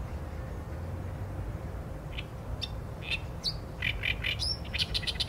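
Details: Oriental reed warbler song recorded with a Sony A7M3 camera; after two quiet seconds come harsh, scratchy notes that speed into a grating, chattering run near the end, over steady low rumble.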